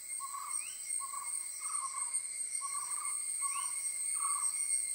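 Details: An owl heard during owlet feeding, giving short rasping mid-pitched notes about every second, twice topped by a quick rising squeal, over a constant thin high-pitched background whine.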